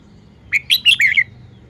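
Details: One short phrase from a caged red-whiskered bulbul showing its song style: four quick liquid whistled notes, the last a bubbly downward warble.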